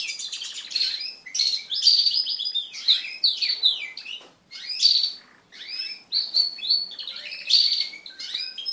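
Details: Pet crested canaries singing while mating as a group: fast rolling trills and bright chirped phrases run almost nonstop, with a short lull around four to five seconds.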